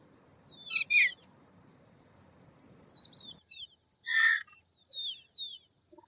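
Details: Indian roller, known locally as paala-pitta or neelkanth. Two loud, grating, noisy bursts about three seconds apart. Several thin, high, descending whistles from other birds run between and after them, and a low rumble stops midway.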